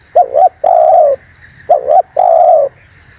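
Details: Spotted dove luring call: two phrases, each a short wavering double coo leading into a long steady mellow coo, with quiet gaps between.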